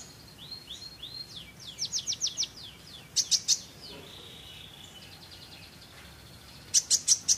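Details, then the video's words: Olive-backed sunbird in full song: rapid run of high sliding whistle notes, three sharp ringing chirps, a faint drawn-out buzzy trill, then four loud piercing chirps at the end, over quiet background. "kolibri ninja gacor isian ampuh buat masteran"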